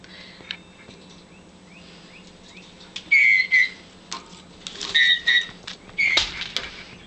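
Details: Pet male Meyer's parrot indoors, beating up and attacking his stuffed toy bird: several short, clear whistled notes of steady pitch, some paired, with a few rising at the end, mixed with scuffling and flapping clicks.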